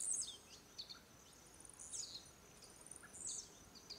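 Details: Display-jumping male blue-black grassquit near the Araucárias Gigantes reserve, Itaiópolis, Santa Catarina, where jumps serve courtship and rivalry; brief, sibilant, very high downslurred buzzes recurring roughly every one and a half seconds over a low, quiet hiss.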